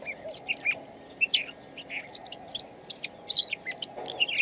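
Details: Shama singing in the wild: varied, loud whistled notes and short slurred phrases, some rising and falling, given in quick bursts with brief gaps, over a steady low background hum.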